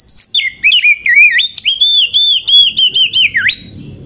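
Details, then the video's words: Lure song of a female Oriental magpie-robin meant to raise other magpie-robins' excitement: bright whistles dropping from high to mid pitch, then a run of short repeated clear notes ending in a sharp dip and upward flick. "KACER EMOSI TINGGI || Pancingan Kacer agar Emosi buat Dongkrak emosi kacer yang kurang sumringah"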